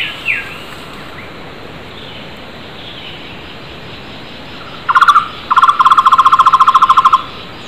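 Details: Wild flame-fronted barbet calling loudly. After quiet background and a few faint whistles from other birds, a short burst and then a long fast trill of hollow pulsed notes stand out, about fourteen notes a second.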